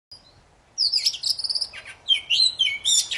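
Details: Poci bird singing very actively, played to prompt silent birds to sing again; after a short quiet start come high whistled notes and rapid chattering phrases with sweeping, rising and falling slurs.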